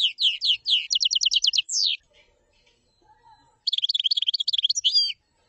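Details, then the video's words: Common chaffinch song: two high, rapid trilled phrases with a short descending run and a closing flourish, separated by a pause of near silence. "تغريد تبلاط"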